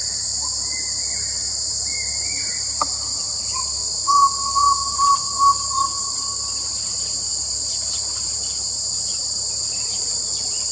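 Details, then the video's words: Jungle owlet calling: a short run of about five clipped, evenly spaced hooting notes midway through, over a loud, steady high-pitched insect drone that fills the whole recording. "Jungle Owlet Call"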